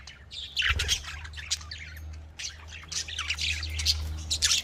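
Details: Budgerigars chattering in a dense flurry of squawks and chirps, sharp bursts around one second and again near two and a half seconds, with a steady low hum underneath.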